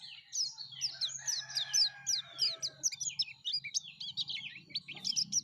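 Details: Yellow-breasted white-eye singing strongly, used as a lure for white-eyes: fast high twittering with looping, sliding chirps delivered in a continuous stream, with a faint low hum behind.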